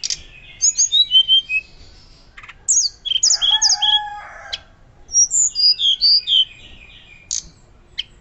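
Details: Hill blue flycatcher song for teaching other birds: clusters of sweet, quickly changing whistles separated by brief pauses, with a few lower tones in between.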